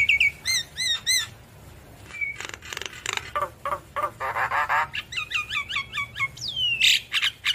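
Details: Javan myna in full song: opening whistled loops, then a stretch of harsh rasping bursts, a quick series of downslurred whistles, and a final sliding whistle with scratchy notes.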